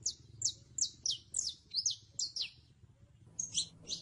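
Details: Song of a saffron finch: a run of high, downward-slurred chirps repeated about every third of a second, a brief pause, then a few doubled, fuller notes at the end, over faint low background hum.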